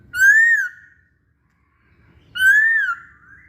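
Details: Masked laughingthrush, singing actively, as a lure for other birds: two loud, rich, arched whistles, each about half a second long, separated by nearly two seconds of silence.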